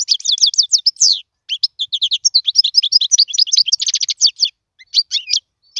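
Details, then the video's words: Goldfinch song for teaching young birds to sing: quick runs of bright twittering notes, a short pause, then a long sequence of tinkling chirps and a rapid buzzy trill, ending with scattered twitters. "اسمع المقنين واعطي رايك فيه,افضل تغريد لتعليم الفراخ"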